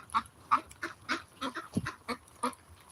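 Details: Ancona ducks on a farm, feeding alongside non-quacking Muscovy ducks, quack in a fast, harsh run of nasal calls, about three every second, over a faint background murmur.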